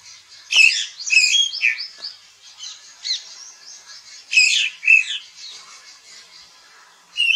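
An American robin gives high, squeaky and scratchy notes in short irregular bursts, roughly two per second, with no other sounds heard.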